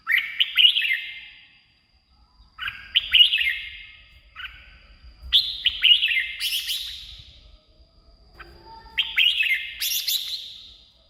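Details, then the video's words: Red-whiskered bulbul singing, a recording meant to get caged birds excited or draw in wild birds; short liquid warbled phrases repeated every two to three seconds, some ending in buzzy flourishes, with faint low rumble beneath. "เสียงนกกรงหัวจุก สำหรับต่อ หรือ เปิดให้นกคึก เสียงเพราะๆ"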